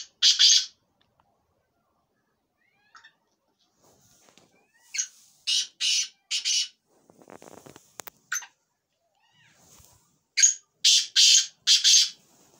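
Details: Black francolin (Kala Teetar) calling: a lone harsh rasping note, then after a pause a rhythmic phrase of three grating notes, a single sharp note, and another three-note harsh phrase near the end.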